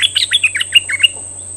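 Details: Cream-vented bulbul (Pycnonotus simplex), a fierce decoy bird, singing in May 2021: a quick burst of about eight bubbly, chirping notes in one second, then stopping; a thin high whine and low hum underneath.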